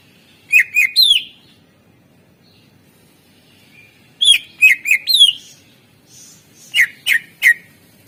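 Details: Greater green leafbird song played as a master track to encourage reluctant birds to sing: three spaced bursts of sharp, loud whistled notes, some slurred downward, with long quiet gaps between phrases.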